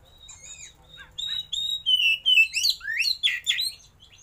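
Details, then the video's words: Tail-opening oriental magpie-robin performing its luxurious fill-style song: soft high whistles build into loud, rapid sweeping notes that rise and fall in a lively cascade. "KACER ISIAN MEWAH❗KACER ROLL TEMBAK BUKA EKOR"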